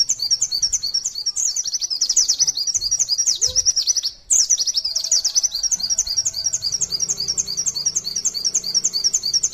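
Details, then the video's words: Indonesian white-eye (pleci) singing a long unbroken run of the 'nembak sejaluran' style, meant as a tutor recording for other white-eyes: rapid high chirps, several per second, with one brief break midway. "pleci nembak sejaluran panjang"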